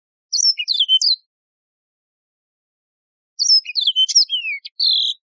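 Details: Yellow-fronted canary, a wild canary also called Mozambique serin: two bright warbled phrases of quick chirps and falling whistles, ending in a sustained buzzy trill, with silence between them.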